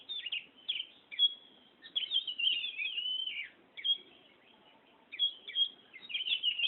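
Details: Kacer (Oriental magpie-robin) rolling out its ngerol song: loud high warbled phrases with sharp downward slurs and sustained whistles, repeated in bursts separated by short gaps.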